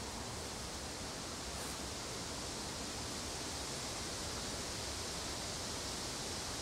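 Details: Steady, dense rushing noise spread evenly across the range, like a waterfall or stream, with no clear animal calls.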